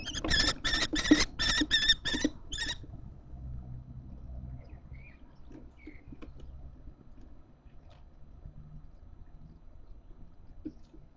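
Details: Common kestrel fledglings in a nest box at Théding, France, June–July 2024, including an adopted chick that fell from a nest in a nearby village, give a burst of about six harsh, rasping screeches over three seconds, then fall quiet over a low rumbling hum.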